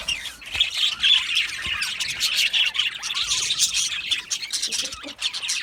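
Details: Happy aviary budgies keep up dense twittering: rapid high chirps, buzzy warbles and occasional clear rising and falling whistles woven through the constant chatter.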